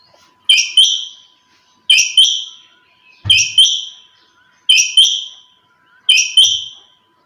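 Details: A female quail calling early in the morning: a bright, high double note, a sharp first note and a longer falling second, repeated regularly about every one and a half seconds in quiet surroundings.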